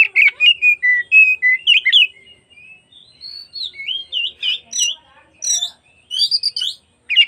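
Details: Oriental magpie-robin in a provoking afternoon song meant to make other magpie-robins open their tails: rapid chains of short whistled notes, then softer rising and falling phrases and high sharp accents.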